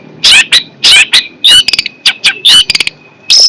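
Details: Long-tailed shrike, called fierce, delivers harsh rasping notes mixed with short clicks and a thin steady whistle, about eight bursts in under four seconds.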